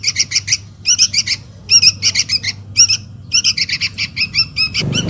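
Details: Young sooty-headed bulbul calling its parent, used as a lure call: bursts of harsh, scratchy chattering notes repeated in quick clusters with brief gaps, ending with a rustling noise.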